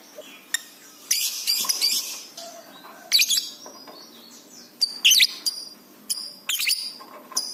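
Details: Excited lovebird chattering for pet-bird masteran training: scattered sharp, very high chirps and squeaky bursts separated by short pauses, with irregular timing.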